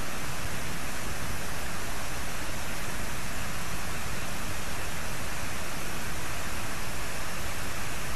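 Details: Dense, even wind or rushing noise covers the whole recording, with no animal sounds.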